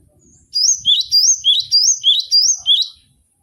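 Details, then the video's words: Cinereous tit (gelatik batu) used as a training model for cage birds, giving one clear burst of about six rapid, high, bouncing two-note whistled phrases, each dropping then rising, with soft low thumps beneath. "MASTERAN GELATIK BATU BONGKAR ISIAN vol.01"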